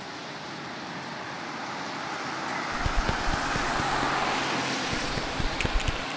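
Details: Steady road traffic rumbles throughout, with passing-vehicle swells and a few sharp knocks in the second half, and no animal voice stands out.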